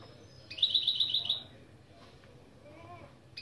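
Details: Goldfinch-canary mule opening phrase, recorded as a lesson: a single fast trill of bright repeated notes lasting about a second, then quiet with faint soft notes. Low hum in the background.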